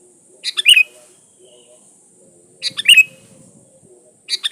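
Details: Kutilang song played to draw birds in: chirpy bubbling phrases of clipped notes rising into a short warble, repeated about every two seconds, with faint low rustling and steady background hiss.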